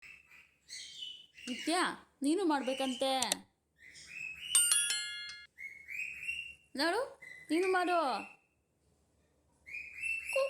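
A cockatiel mimics speech, saying its name in bursts of harmonic chatter broken by clear whistles.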